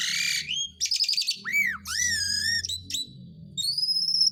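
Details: Asian pied starling song, used to coax silent birds into singing: high harsh notes, then looping arched whistles and a sustained high whistle, over a steady low hum.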